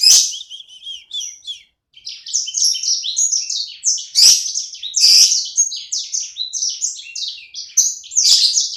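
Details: Pet sanger bird, small and singing hard, keeps up a long, dense, high-pitched warble of slurred chirps and buzzes, broken by several sharp clicks.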